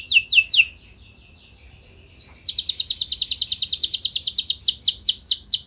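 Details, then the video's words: Canary song used to trigger other canaries to sing: a few sweeping notes, a brief pause with a soft buzz, then a long fast trill of repeated high notes turning into broader downslurs. "Bakal Bikin Emosi Burung Kenari Lain Langsung Nyaut Gacor Ngeroll Panjang"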